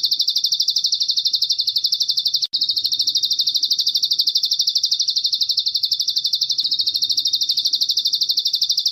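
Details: Bar-winged prinia (ciblek gunung) in lively song, a master training track with cililin-style filling: high, sharp chirps repeated rapidly, about three per second, in a steady unbroken stream with one brief cut near the start.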